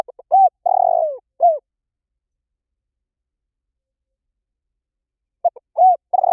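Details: Spotted dove decoy call. One full phrase opens with soft stuttered notes, an arched coo, a long quavering descending coo and a closing arched note. After a long silence, the start of the next phrase comes in.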